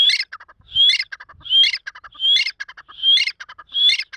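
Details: An Iranian grey partridge (teetar) kept as a fighter bird and playing in its own mood gives loud, harsh, chattering calls about every three-quarters of a second, each opening with a brief rising whistle and ending in scratchy notes.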